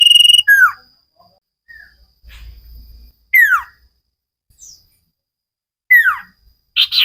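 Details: Common iora, known locally as cipow sirtu, in a training recording for cage birds, singing vigorously: sharp high chirps and several loud downslurred whistles spaced a few seconds apart, with brief soft chatter between them.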